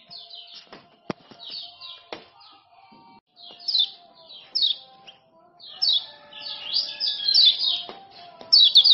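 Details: Lombok male common iora, played to make silent caged birds sing again: scattered high chirped notes and short sliding phrases that grow denser toward the end, with a few sharp clicks and a faint steady hum.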